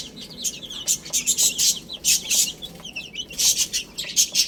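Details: Several young chicks feeding on spinach, chirping in quick, high, piercing cheeps that come in clustered bursts with brief gaps, plus faint tapping.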